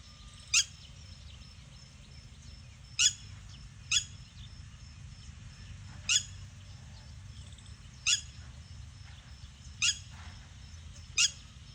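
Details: Red-wattled lapwing giving loud, shrill single notes spaced irregularly, about one to two seconds apart, over a steady high whine and a low background hum.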